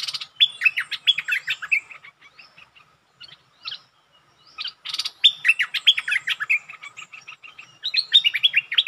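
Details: Bulbul song aimed at testing a resident territory holder, with two long runs of bright, bubbling whistled notes at about mid-high pitch, a quieter scattered stretch between them, and no other clear sounds.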